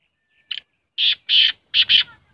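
A black francolin gives a harsh, grating phrase: one short clipped note, then two long rasping notes and a quick doubled pair.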